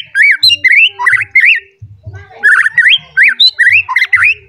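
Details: Agitated white-rumped shama seeking a rival sings rapid, swooping whistled notes with harsh buzzy overtones in two energetic phrases, each made of many short loud elements, over low thumping background noise.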